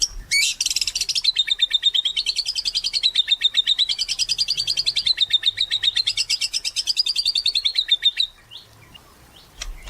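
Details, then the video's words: Chattering white-rumped shama, recorded as a lure to get other shamas singing: one sustained rapid trill lasting about eight seconds, gently wavering in pitch, opened by a sharp high burst. "Murai Batu Gacor"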